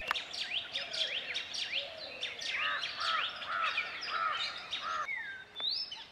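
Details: Male Oriental magpie-robin singing in Central India near Satpura: a varied run of rising and falling whistled notes and short slurred phrases, some repeated in quick series, over steady background hiss.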